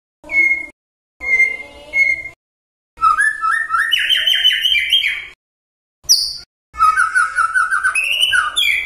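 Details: Magpie-robin song meant to provoke other magpie-robins into answering: two short sweeping whistled notes, then long rapid runs of rising, warbled whistles in bursts separated by brief pauses.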